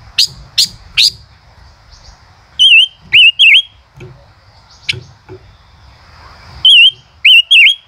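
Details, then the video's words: Male common rosefinch song: quick sharp chips followed by clear whistled phrases of two or three rising and falling notes, repeated after pauses of several seconds, with scattered clicks between. "tiếng chim ngũ sắc hót - chim ngũ sắc trống hót chế cựa hai"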